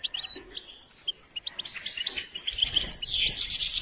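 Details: Song-trained goldfinch twittering in high, rapid notes, overlaid by a long thin whistled line that slides gently downward, ending in a bright buzzy flourish.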